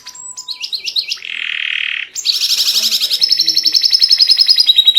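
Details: Singing white canary used as a tutor for young canaries to copy: a brief high twittered phrase, then a steady buzzy nasal tone, then a long fast rattling trill held high and even.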